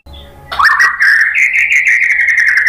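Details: Lure song of a white-rumped shama meant to draw answering song from other birds. A quick tumbling burst gives way to a steady, fast, buzzy trill of whistled pulses at a constant pitch until the end.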